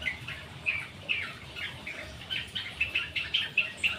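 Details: Long-tailed shrike in vigorous 'gacor rol dot' song, used as a lure so other birds answer: a brisk run of short chirpy notes, roughly three or four per second, each with a sharp onset, over faint low rustling.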